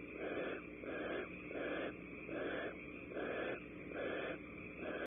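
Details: At Starr Ranch in California, a female barn owl joins the male to mate. Six breathy, rasping hiss bursts repeat at a steady pace of about one per second.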